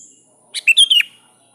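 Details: A sooty-headed bulbul calls to a rival with one brisk phrase of four liquid, bubbling notes, the last sliding downward, against a faint continuous high-pitched whine.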